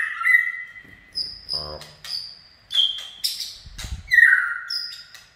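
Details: White-rumped shama (chích chòe lửa) in 'run' song: varied whistled notes at differing pitches, short high clear tones and a sliding warble, broken by a brief human voice and a low thump.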